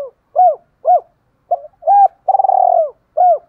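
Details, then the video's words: Cooing of a spotted dove used as a caller to lure wild doves into answering: short, rounded hoo notes spaced about half a second apart, then a longer rolling, throbbing coo and a final hoot. "chim cu thúc đấu rút bổi ức chế gáy theo, tiếng gáy gọi giúp bổi rất nhanh nổi và mau về cội"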